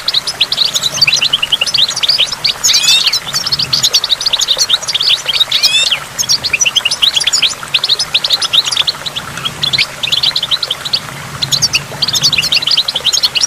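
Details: By a waterfall, goldfinch song used for stimulation: a dense, continuous stream of high, sharp twitters and tinkling notes, with a few fast upward-sweeping trills near the three- and six-second marks over a soft low hum.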